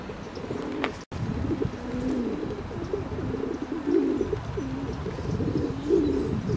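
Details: Ring-necked duck giving low, hoarse, drawn-out calls with slight rises and falls, repeated several times over steady background noise, with a sharp click near the start.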